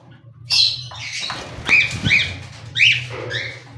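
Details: Cockatiels calling: several harsh, rising-then-falling squawks with strong harmonics in quick, irregular succession, overlapping one another, over a low steady hum.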